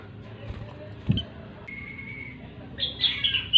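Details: A grey-cheeked bulbul in full, loud song gives a thin, level whistle, then a quick run of bright, high, slurred notes, over a low background rumble with a single thump.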